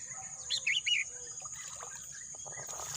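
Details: A bird calls in lush green countryside, giving a rapid cluster of four or five bright warbled chirps, followed by rustling and fluttering noise against a continuous insect whine.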